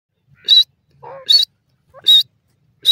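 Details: Grey francolin calling in a forest among green grass: loud, harsh, high-pitched notes repeated roughly every 0.8 seconds, each preceded by a softer, lower short note.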